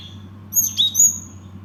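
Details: Cinereous tit giving three loud, clear, high whistled notes in quick succession, the middle one slurring downward, with a faint low hum behind.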